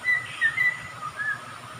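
A songbird gives five thin, clear whistled notes at a steady middle pitch over two seconds, set against a constant background hiss.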